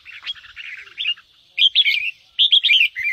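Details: Red-whiskered bulbul (Pycnonotus jocosus) singing bright, warbling phrases of quick rising and falling whistled notes in three bursts over about three seconds, with nothing else heard.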